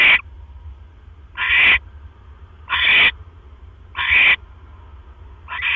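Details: At a barn owl nest shortly after 1 AM on 12 October 2015, with the male bringing in a mouse: five rasping, breathy screech bursts in quick succession, about 1.2 seconds apart, over a faint low background hum.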